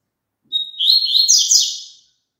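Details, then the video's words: Song of a double-collared seedeater, offered for a caged bird to join in: a short high whistled lead-in sliding straight into a fast, bright jumble of buzzy chirps and trills for about a second and a half. "COLOCA ESSE CANTO PARA SEU PAPACAPIM CANTAR JUNTO"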